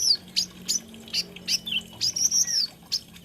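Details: Olive-backed sunbird (kolibri ninja) repeating high, sharp chips about three times a second, broken by a longer drawn-out thin whistle, over a faint low hum.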